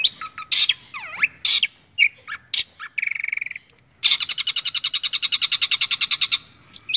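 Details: Kept Indonesian long-tailed shrike (cendet) singing competition song material with mimicked phrases of other birds; varied whistles and sharp slurs, a brief dry rattle, then a long run of about twenty-five rapid buzzy repeated notes.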